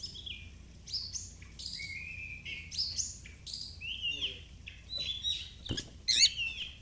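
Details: Kacer, or oriental magpie-robin, in fighter-style song while displaying (ngobra), played to coax hesitant birds into singing: softer, continuous chain of clear whistles, slurred notes and short trills, with a sharper burst near the end.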